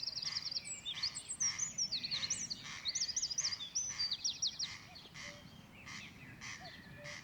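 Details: Corncrake, unseen, giving dry, rasping double calls about twice a second at a campsite on Coll or Tiree, Inner Hebrides, Scotland, in May, machair habitat, under a busy chorus of high, twittering songbirds including a cuckoo.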